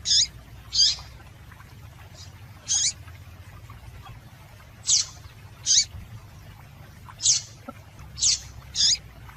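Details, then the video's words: Female yellow-bellied seedeater calling, used to excite males into singing: eight short, high, sharp chips spaced irregularly over about nine seconds, over a steady low hum. "Piado de Fêmea de Papa capim Para Esquentar Papa capim"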